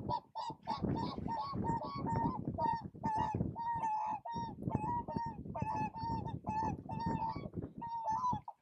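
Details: Whooper swans calling at Spiggie in Shetland, U.K., July 2013: a near-continuous chorus of overlapping nasal, bugling honks from several birds, steady in pitch, with a dense low background murmur.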